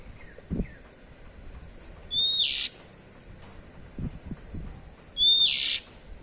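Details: Oriental magpie-robin calling 'cier, cier' in the ngeplong style: two loud harsh buzzy bursts about three seconds apart, each opening on a short clear whistle, with faint low thuds and soft chirps between.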